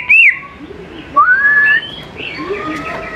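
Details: Greater green leafbird song, played to lure young birds into answering and singing. A short looping whistle opens, then a smooth rising whistled note, followed by softer, more distant fragments over a quiet background.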